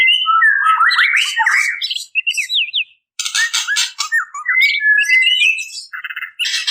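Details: Female white-rumped shama calling males as a lure: tumbling warbled whistles with harsh squawking rasps, a brief pause, then buzzy bursts and further varied whistled phrases.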